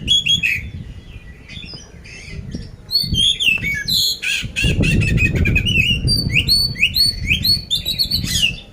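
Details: Caged oriental magpie-robin (poci) in Magelang, Central Java, kept for song contests, with harsh 'isian kasar' fill: loud varied whistles, buzzy rasps and rapid chattering bursts, over a steady low rumble of background noise.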